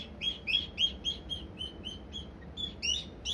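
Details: Senior pet cockatiel fussing at a hated box, giving a rapid string of high, clipped chirps, roughly four each second, with a faint low hum underneath.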